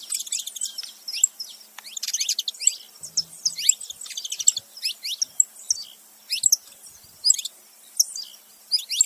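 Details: Saffron finch pair, male and female, giving high busy chirping at the start, then scattered downslurred notes in short groups with pauses between.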